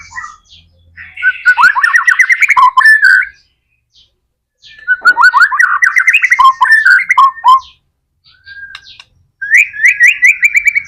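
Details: White-rumped shama (murai batu) in energetic 'gacor' full song, used as a lure to prompt other shamas to sing: three bursts of rapid, chattering, warbled phrases, rising and falling, separated by pauses of about one to two seconds.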